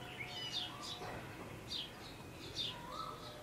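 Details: A female purple sunbird in Lahore Cantonment gives thin, high chips in short bursts about every second, with lower whistled notes and steady background hum.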